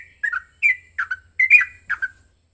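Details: Yellow-vented bulbul (Pycnonotus goiavier) fighting song, used to provoke another bulbul into singing: five quick, bubbly, gurgling phrases of about half a second each, rising and falling in a mid-high pitch with brief gaps.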